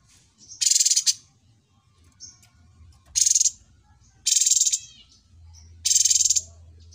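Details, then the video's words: Harsh buzzing rattles from a cucak cungkok trained on other birds' songs, four bursts each about half a second long, spaced one to two seconds apart with faint chirps between, over a low hum. "TERMASTER YANG SANGAT BAGUS CUCAK CUNGKO"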